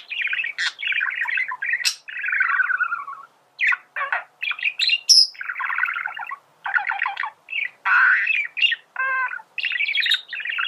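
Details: Male budgerigar singing, a recording meant to teach birds to sing: a long, varied warble of chattering, buzzy phrases and short squeaky notes, broken by brief pauses, with a few sharp high chirps mixed in.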